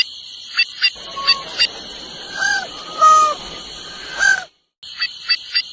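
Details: White-naped jay giving a few short, clear whistled notes, some rising and some falling, spaced about a second apart over a steady high-pitched hum with sharp regular clicks.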